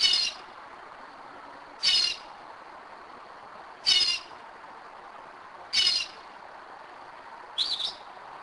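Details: Northern mockingbird singing at 2am in Kennesaw, Georgia, at a spot it has returned to for several years; bright high phrases repeated about every two seconds against a quiet night background with faint low hum.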